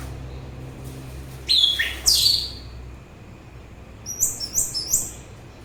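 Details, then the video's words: Orange-headed thrush singing: two sharp, falling high whistles, a pause, then three quick upward-sweeping high notes repeated in a tight run, over low background hum. "Begitu Syahdu Suara Anis Merah"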